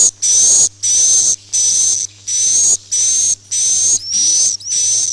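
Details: Lure track for swiftlet farming, "Masal" roosting sound: seven or eight bright, hissy chirps at a steady pace, each carrying a high thin whistle, over a faint low hum.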